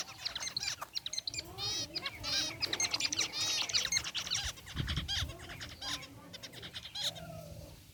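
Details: Group of caged zebra finches in an aviary, white and gray varieties, chirping constantly: dense overlapping nasal, buzzy beeps with rich harmonics, rapid and irregular, with occasional soft low thumps beneath.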